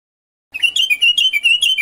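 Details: Tutoring song of the common bulbul (Pycnonotus barbatus), the Moroccan al-watwat, for captive birds. After half a second of silence, a quick, dense stream of bright warbled whistles bursts in and runs to the end.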